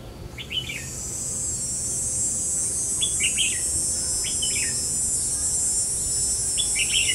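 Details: Red-whiskered bulbul singing as a decoy in a fighting trap to lure rival birds, recorded 5 July 2016; four short, bright, chortling phrases spaced a second or more apart, over a steady high insect hiss.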